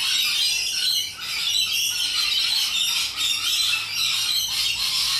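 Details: Loud wild rainbow lorikeets in Australia squawk and squeal in a thick overlapping chorus, a few brief lulls breaking the shrill racket.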